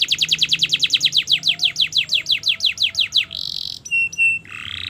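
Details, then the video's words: Canary master song for teaching young canaries: a rapid rolling trill of falling notes, then a buzzy chatter, clear flat whistles and a nasal buzz. "Masteran Kenari Gacor Panjang‼️Cocok Untuk Pancingan Kenari Belajar Bunyi dan Macet Bunyi"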